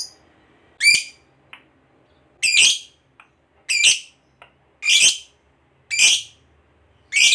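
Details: Lovebird of the fighter type giving its long ngekek trill, used to provoke a rival: loud harsh chattering bursts, each about half a second, repeated roughly every second, separated by faint short chips.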